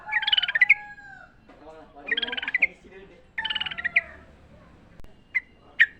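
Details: Wild sooty-headed bulbul in song, recorded to train caged birds: three quick bubbly warbled phrases, each a rapid cluster of bright notes trailing into a lower slurred whistle, then two short sharp chirps near the end.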